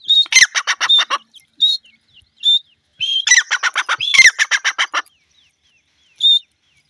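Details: Francolin chicks calling: clusters of loud, harsh, rapidly pulsed notes in two bursts, mixed with short clear whistled peeps at a steady pitch that recur between the bursts.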